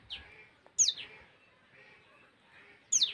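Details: Common tailorbird calling: loud, high notes sweep steeply downward in quick pairs, one burst early and another near the end, with softer faint chirps between them.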